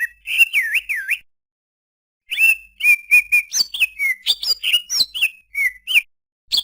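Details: Greater green leafbird singing looping, wavering whistles. After a short silence comes a quick string of sharp, clear whistles mixed with slurred rising and falling notes.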